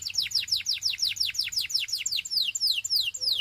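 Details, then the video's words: Belgian canary singing a tour of rapid, sharply descending whistled sweeps, roughly five per second, evenly paced and clear, with the last few notes spaced slightly wider. "Belgian Canary Singing"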